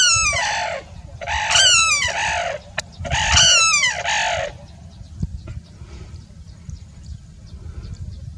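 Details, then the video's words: A sarus crane in courtship display gives three loud, brassy trumpeting bursts, each about a second long, over a steady low rumble of background noise. "Sarus Crane Call | Sarus crane song"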